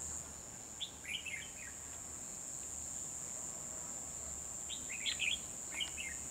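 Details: Bulbul trapping on 12 December 2020 with a red-whiskered bulbul decoy calling in wild birds; three scattered bursts of rapid chirpy warbling separated by pauses, under a steady buzzing insect drone.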